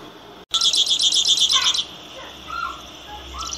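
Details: Grassland yellow finch, known locally as misto or canario tipio, singing a fast high buzzy trill of rapidly repeated notes for over a second, followed by softer lower chirps.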